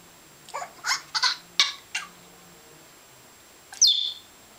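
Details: A male African grey parrot that mimics noises, water sounds and curses. It gives a run of quick breathy chirps, a pause, then one piercing, downward-sliding whistle.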